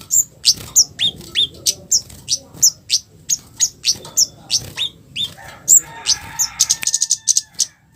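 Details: Scarlet-headed flowerpecker giving harsh 'cit keres' chips meant to provoke other flowerpeckers; repeated sharp high ticks about three per second, ending in a fast buzzy rattle.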